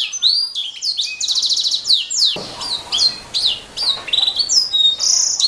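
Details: Canary song for training caged songbirds: rapid high whistles, downslurred chirps and rattling trills in lively bursts, with a brief rougher noisy moment midway.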